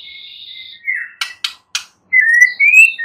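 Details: White-rumped shama song intended to provoke a mute shama to respond; a steady high whistle, three sharp clicks, then two bright rising whistled phrases.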